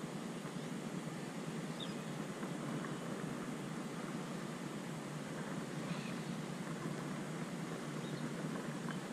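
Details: Steady broadband rumble like wind or surf fills the recording, with no animal sound standing out.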